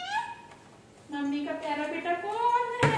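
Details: Talking parrot mimicking human speech: harmonic, voice-like syllables in a nasal tone, one short call, then a pause, then a longer run of warbling, rising phrases ending in a sharp burst.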